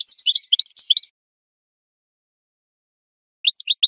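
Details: Goldfinch singing in a recording meant to teach other birds: a quick second of bright, tinkling twitters, a long silence, then a short burst of the same chirping notes.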